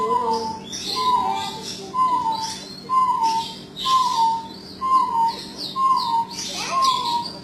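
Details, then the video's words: A jungle bush quail calls persistently. A steady series of short, downward-sliding whistles repeats roughly every second, with busy high chirps from other small birds in the background. "SUARA ANEH DARI BURUNG PUYUH HUTAN/ Perdicula asiatica"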